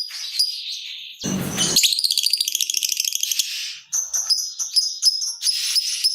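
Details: Lovebird lure for prompting other birds to sing: shrill chatter, a short loud buzzy blast, then a long fast rattling trill followed by scattered high chirps.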